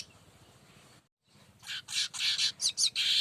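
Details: Baya weaver lure sound: after a brief quiet pause, a fast series of harsh, buzzy chattering notes builds in loudness, each burst short and rasping, ending in a sustained wheezy note.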